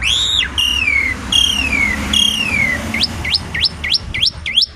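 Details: Black-collared starling singing: several long, loud whistles sliding downward, then a quick run of sharply rising whistled notes about three per second, over a steady low background hum.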